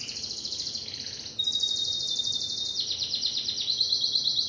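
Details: Timbrado canary delivering a continuous high trilled song, shifting from a rolling trill to a pure sustained whistle, then a pulsed roll repeated about three times a second.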